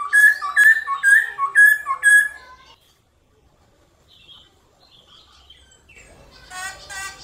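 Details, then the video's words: Black-throated laughingthrush singing in the morning: loud, mellow whistled phrases about two per second for nearly three seconds, then a pause and a brief burst of harsh chattering. "Khướu bạc má hót đấu kích khướu căng lửa"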